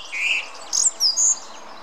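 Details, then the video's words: One song thrush singing in the Munich Botanical Garden gives a brief song fragment: a lower warbled note, then three thin, high, clear notes in quick succession over faint background hiss. "Turdus philomelos song"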